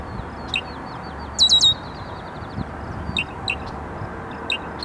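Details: A male Red-winged Blackbird defending his territory from a perch near a pond, McDowell Grove Forest Preserve, DuPage County, Illinois, 8 June 2015: a bright, ringing burst into a long buzzy trill, with sharp, high chips.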